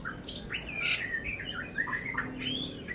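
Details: Caged oriental magpie-robin of the poci type from Magelang, Central Java, said to be ready for competition, with a coarse-fill song: rising and falling whistles mixed with harsh buzzy squawks, fairly soft against a low background hum.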